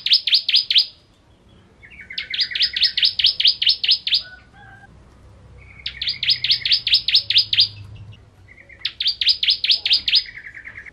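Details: Crystal ciblek, a bar-winged prinia, in full ngentrok song: four bursts of rapid, buzzy downslurred notes, each introduced by a lower rattling trill, with short pauses between phrases.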